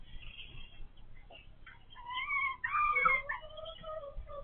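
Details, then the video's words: Laying hens, noisier since they began producing eggs; quiet scattered sounds lead into loud, nasal, harmonic squawks, the strongest near the middle, trailing off into lower drawn-out notes. "They say roosters are loud, so are hens"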